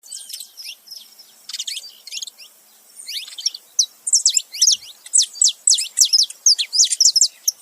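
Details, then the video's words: Male and female saffron finch together making noise: rapid high chirps and downward-sweeping notes, sparse at first, then dense overlapping bursts in the second half. "canário da terra macho e fêmea junto fazendo barulho"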